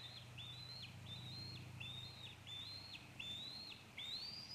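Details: Female eagle fledgling calling from close to her nest in Maine, afternoon of July 9, 2014, as an adult eats a squirrel meal; six high whistled notes, each rising sharply then held flat and dropping off, repeated about every 0.8 seconds over low hum.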